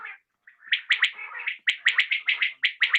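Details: Evening calling of a common quail: after a short pause, quick clipped notes follow one another in a fast, bouncy run, each with a bright high tip, ending in paired bursts.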